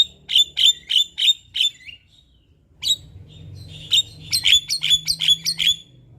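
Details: Energetic morning singing from a Javan myna, meant as a tutor and lure for other mynas: a run of sharp, evenly spaced chirps, a brief silence, then a faster cluster of clipped, bright notes over a low hum.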